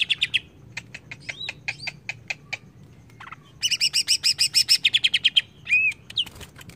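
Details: Greater green leafbird song intended to rile up other leafbirds: scattered sharp ticks and short whistles, a brief pause, then a long run of rapid harsh chattering notes and a slurred whistle.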